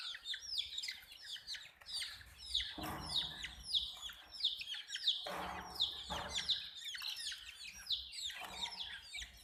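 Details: Hen chicks chirping as a group: shrill, falling peeps crowd over one another without pause, with brief rustling bursts from movement around the second, fifth and sixth seconds.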